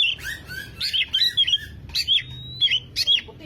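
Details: Oriental magpie-robin song played as a lure for a bird that has stopped singing: short bursts of whistled and slurred notes mixed with harsh rasping elements, one drawn-out rising whistle, and brief pauses between bursts.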